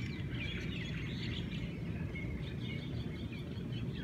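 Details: Several Hawaiian birds sing together on a Hawaiian morning: busy, overlapping chirps and short trills, partly masked by heavy, continuous low-pitched noise.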